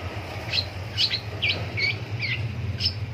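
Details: Long-tailed shrike calling in the morning: a series of six short, sharp, scratchy notes with slurred downward inflections, spaced roughly half a second apart, over a low steady background hum.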